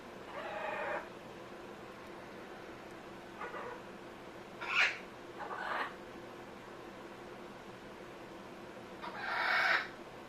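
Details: Amazon parrot making funny sounds: a few separate harsh, nasal squawks, some with a bright rising peak, spaced irregularly across the stretch with quiet gaps between them.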